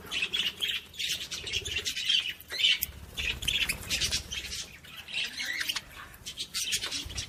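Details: Budgerigar warbling used to stimulate other budgies: steady, lively high-pitched chatter of buzzy squawks and chirps, pulsing in quick irregular bursts with no real silence.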